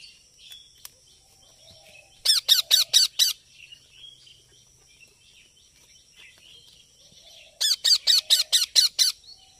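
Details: A baby parrot calls in two loud runs of six or seven harsh, rapid, evenly spaced notes, separated by several seconds of quiet with faint background chirping.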